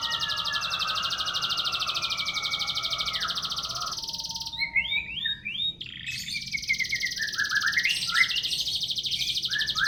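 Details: Domestic canary singing oddly: a long, fast, high buzzing trill, a short pause, a few hooked whistles, then the rapid trill resumes with descending slurred notes.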